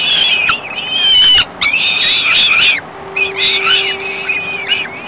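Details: Young falcons beg as the female feeds them, a few hours after being ringed. Harsh, high, wavering screeches run in long overlapping bouts, broken by short pauses. A faint steady hum is heard in the second half.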